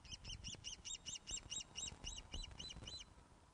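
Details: Osprey at the nest, Loch of the Lowes webcam, afternoon of 21 August 2012 during a fish delivery: a steady, insistent run of about fourteen sharp arched whistles, roughly four per second, above a low rumble.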